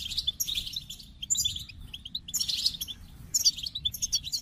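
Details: A goldfinch sings in four lively bursts of liquid chirps and rattling trills, each about half a second long, separated by short gaps.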